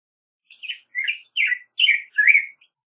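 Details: Black-headed grosbeak giving five soft, rich whistled phrases, each a warbled slur, spaced about half a second apart.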